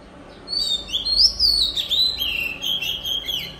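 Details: Oriental magpie-robin, a decoy bird, sings the forest-style song meant to tutor young birds: clear rising whistles leading into rapid warbled, twisting phrases and scratchy trills, with faint low hum underneath.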